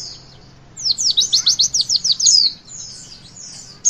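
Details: Brief Javan white-eye witwit phrase for prompting young birds to sing: after a quiet start, about a dozen rapid, sharply slurred high notes in under two seconds, followed by softer thin whistles.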